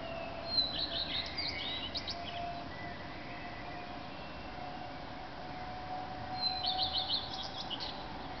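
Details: Common redstart male, Berlin, early morning of 10 May 2010, another redstart answering nearby: an opening run of high, quickly repeated notes ending in a rattly flourish, then a repeat of the phrase after a gap, over soft blackbird song and hum.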